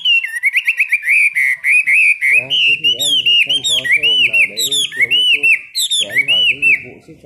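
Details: Chinese hwamei kept in a cage, singing during its daily 15-minute morning training: a long, unbroken stream of loud, rich whistled phrases that rise and fall, with lower buzzy sounds underneath in the middle.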